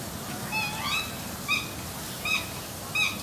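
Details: Pair of black swans in Germany, courting in December before pairing; clear harmonic bugling notes, brief and slightly squeaky, repeated about every half to three quarters of a second over a low background hum.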